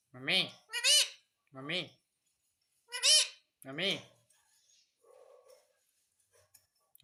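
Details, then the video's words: Parrot speaking in human-like words to ask for roti, five rhythmic syllables in lower and higher voice tones, then faint background noises. "मम्मी मिट्ठू को रोटी दो _ Parrot Talking Everything"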